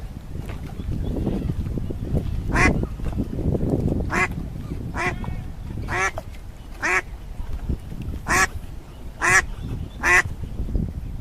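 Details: Ducks and ducklings swimming in a pond, giving about nine loud, harsh, nasal quacks spaced roughly a second apart, over a steady low rumbling background.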